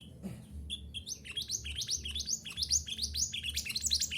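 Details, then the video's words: Mantenan gunung song played as a training recording so caged birds start singing. A fast run of bright rising chirps, two to three each second, rises to a dense, continuous twittering phrase with a low hum beneath. "Terapi Suara Mantenan Gunung Agar Cepat Gacor"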